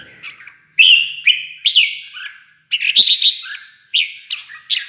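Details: When goaded into competing, a red-whiskered bulbul answers with cheerful, fast chirping song: short bursts of bouncy whistled notes separated by brief pauses, then a dense flourish of rapid notes.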